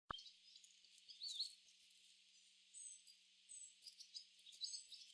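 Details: A flock of barn swallows gathering in a tree, chirping: a busy chatter of high, thin twittering notes, with louder bursts near one and a half seconds and again toward the end, overlapping continuously without clear pauses.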